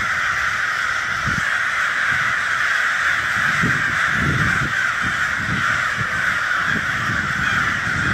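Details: Massive crow flock cawing nonstop, a dense grating din of countless overlapping calls, with soft low thumps scattered through it.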